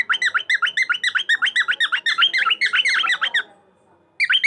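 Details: Cockatiel chattering in rapid, even-pitched chirps that dip and rise, roughly seven per second, for over three seconds, then a brief silence before the chirping starts again at the end.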